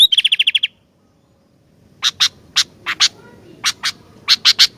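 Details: Actively singing sooty-headed bulbul gives a rapid string of seven bright, hooked notes, falls silent, then follows with a loose sequence of sharp, dry, ticking strokes.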